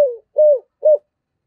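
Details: Spotted dove kept as a decoy, cooing in 'giọng thổ' style: three low hooting notes, the first trailing downward and the next two short and steady, then silence.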